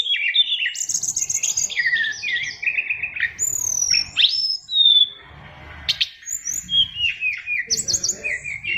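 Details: Varied fighter song of an oriental magpie-robin, 'isian luber' style: quick chattering phrases, a loud sweeping whistle and clear descending note, then scattered clicks and chirps.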